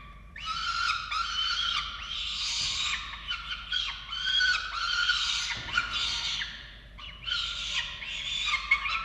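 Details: Falcons at a nest in Orange, Australia, during chick feeding on 13 November 2022. Loud, squealing, harsh wails run in long bouts broken by brief pauses, with a faint thump partway through.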